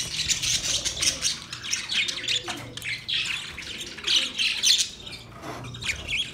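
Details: Budgerigars giving a mating sound: continuous bright, scratchy twittering and squawky chirps from several birds, rising and falling in short bursts throughout.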